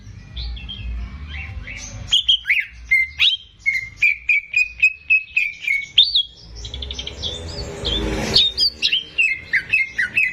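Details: Caged greater green leafbird in full song to stimulate untrained birds: scattered chips, then a fast steady series of short whistled notes, a burst of noisy chatter, and more rapid repeated whistles.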